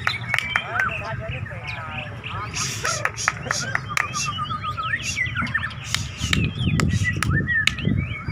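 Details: White-rumped shamas (murai batu) at a songbird contest in Medan, Nias versus Bahorok birds duelling: rich varied whistles, quick trills and sharp rising notes, several birds overlapping, over crowd murmur. White-rumped shama song.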